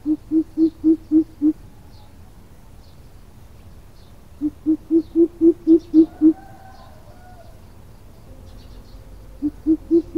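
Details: Greater coucal calling, a recording used for decoying birds into traps: three bouts of low, booming hoots, the first of six, then eight, then a short third, each spaced evenly with quiet gaps between.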